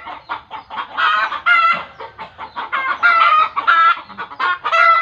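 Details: Chicken in a village, whose frantic calling is locally believed to mean it is seeing a ghost: rapid harsh clucks about three a second, rising into loud, strained, nasal cackles.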